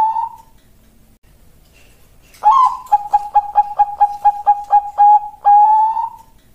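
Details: Contest-class Bangkok perkutut, a zebra dove, sings after a soft closing coo from its previous phrase: a rising introductory note, a quick run of about nine short even notes, then two long sustained coos.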